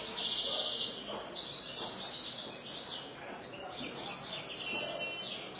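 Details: Captive European goldfinch from a hobbyist's collection singing continuous high, liquid twitters and tinkling trills, with brief buzzy phrases and a slight pause midway before resuming.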